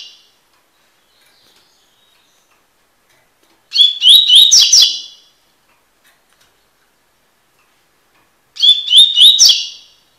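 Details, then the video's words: Coleiro, the double-collared seedeater, singing in the tui-tui style for song tutoring: two short bursts of rapid, sweet, slurred whistles about five seconds apart, each lasting about a second, separated by quiet. "coleiro tui tui cantando (encarte)"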